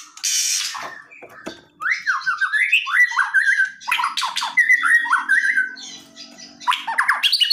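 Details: An aggressive white-rumped shama sings to make a silent bird respond. A harsh noisy burst opens the passage, followed by a dense run of zigzagging whistled notes with scratchy interjections and brief pauses.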